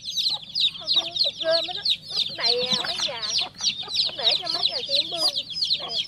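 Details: Baby chick, newly hatched, gives rapid high-pitched peeps in a steady stream. Softer, lower trilling chirps are mixed in underneath.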